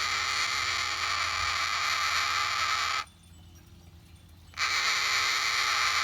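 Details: Captive cockatoo, relaxing indoors, holds a continuous hoarse screech for about three seconds, stops for a second and a half, then resumes the same harsh steady rasp.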